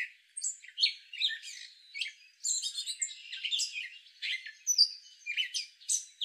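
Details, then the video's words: Continuous warbling from a male gray catbird: mixed mewing slurs, chirps, rasping fragments and thin high whistles strung together in an irregular jumble, each short phrase different from the last. "Gray catbird call"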